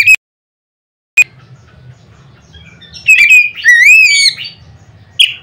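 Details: Oriental magpie-robin singing loudly to provoke other magpie-robins: scattered short sharp chirps, then a smooth whistled phrase climbing and falling, and a final harsh note, with a faint low hum throughout.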